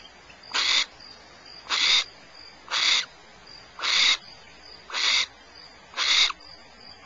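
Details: Barn owls at Starr Ranch, California: six harsh, hissing screeches, each about a third of a second long, repeat roughly once a second over a quiet background with a faint steady high tone.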